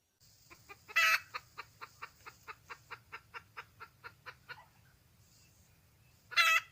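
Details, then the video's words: Wild red junglefowl hen calling for a male: a steady run of short clucks, about four per second, broken by two loud, harsh, harmonic squawks near the start and end. "le bruit d'une poule sauvage,เสียงไก่ป่าร้องหาถู่หาตัวผู้,ສຽງໄກ່ປ່າຮ້ອງຫາຄູ່ຮັກ, poj qaib qus see"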